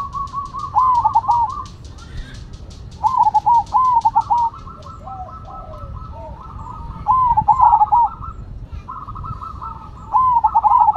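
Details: Zebra doves of the Cemani and Silver types sing in turn. Quick warbling coo phrases repeat about every two to four seconds, with quieter overlapping cooing between them. Faint high ticking is heard early on.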